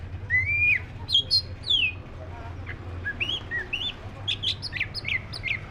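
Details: Oriental magpie-robin of the black-breasted form gives a varied whistled song: a rising slurred whistle, sharp high flicks, then a fast run of short chirpy notes, against constant low background hum.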